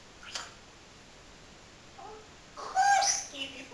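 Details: Pet parrot talking indoors, described as talking all day long: a short burst of parrot voice near the end, with bright whistled tones and a rising-falling harmonic syllable, after a faint click early on and quiet room background.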